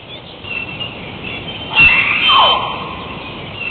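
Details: Hawaiian crow (Corvus hawaiiensis), a species extinct in the wild, gives one loud, harsh, raspy call that slides downward at the end, over a steady background hiss.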